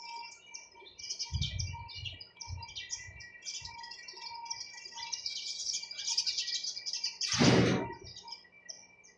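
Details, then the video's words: Sparrows chirping steadily in quick high twitters, broken by low thumps early on and a loud broad rustling noise near the end. "চড়ুই পাখির কিচিরমিচির শব্দ Chirping sound of sparrows"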